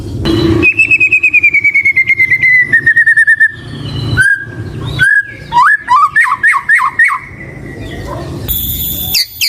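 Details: White-rumped shama song opening with a long fast trill slowly falling in pitch, followed by sweet whistled phrases, rapid swooping notes and a final bright high burst.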